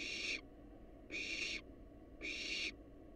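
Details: Three broad, noisy hissing screeches from wild barn owls inside a monitored nest box, evenly spaced about a second apart above a low humming background.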